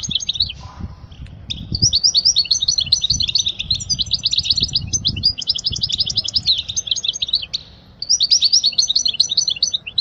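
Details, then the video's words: Goldfinch song used to tutor young birds: fast, liquid twittering phrases of high trills and chirps, nearly continuous, broken by brief pauses around one and eight seconds, with faint low background rumble. "أجمل تغريدة لطائر الحسون لتعليم الفراخ الصغار"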